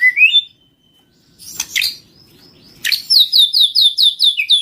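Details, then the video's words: White-rumped shama lure song: a rising whistled phrase, a pause with two harsh bursts, then a quick run of high, evenly repeated sliding notes. "Suara pikat murai batu"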